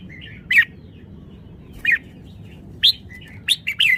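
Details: Red-whiskered bulbul giving separate bright chirped whistles about once a second, softer warbles between, and a quicker run of rising and falling notes at the end.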